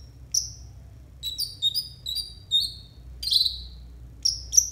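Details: Konin song used for tutoring other birds: a run of high, clear whistles and short slurred notes, some falling in pitch, delivered in quick phrases with brief gaps.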